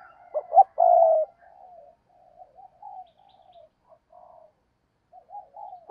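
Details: Spotted dove decoy luring wild doves. It opens with a loud phrase of two short notes and a long croo, then trails off into soft, broken, low coos with brief silences.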